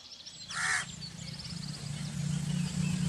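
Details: A single harsh crow caw, short and rasping, rises out of a steady low rumble of background noise. Faint chirps from small birds follow.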